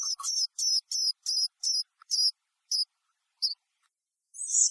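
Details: Black-capped chickadee in a backyard with feeders, foraging for sunflower seeds, gives a chickadee-dee-dee call: a brief low note, then a string of high, buzzy repeated notes that slows and thins out, ending in a harsh burst.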